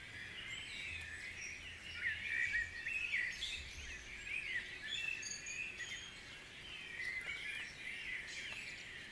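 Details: Guisborough dawn chorus: many birds sing at once, with busy chirping and short trilled phrases layered over each other, swelling in the middle and easing off toward the end.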